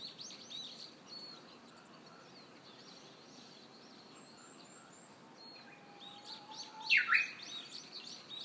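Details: Japanese bush warbler singing in early summer in Hiroshima, Japan: a faint, drawn-out low whistle followed near the end by a louder, sharp burst of notes, over a steady background hiss with distant high chirps.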